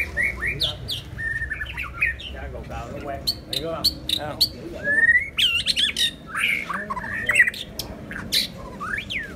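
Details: White-rumped shama singing: varied whistled phrases, slurred notes and sharp clicks in quick bursts, some upward sweeping whistles, with low background hum and brief human voices.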